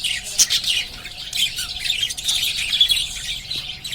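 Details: Pet lovebirds chattering in a dense, continuous stream of high, scratchy chirps and squeaky tweets, several overlapping at once, with no pauses and no other clear sounds.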